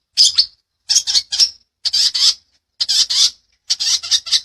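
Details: Long-tailed shrike (cendet) master recording for training birds, delivered in a dense 'rol rapat' style: grating, scratchy notes in quick clusters of two or three, each cluster separated by brief silences.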